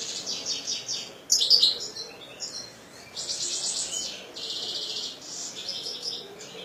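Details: A European goldfinch, kept as a pet, delivers rattling high trills and rapid chattering bursts, with a sharp louder phrase near the start and repeated buzzy runs after.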